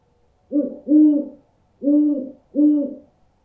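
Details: Owl hooting, played to scare birds: low, hollow, two-part hoots in pairs, each note swelling and fading, about four hoots in a few seconds, against a silent background.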